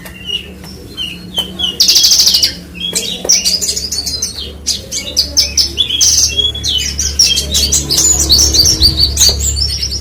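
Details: Branjangan, or Horsfield's bush lark, delivering dense, high-pitched twittering with buzzy bursts and quick repeated notes over a faint low background hum.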